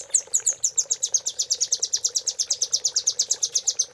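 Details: High, fast trill of a velvet-fronted nuthatch, an unbroken series of sharp, slightly slurred chips delivered about three per second, from a training track meant to tutor caged songbirds.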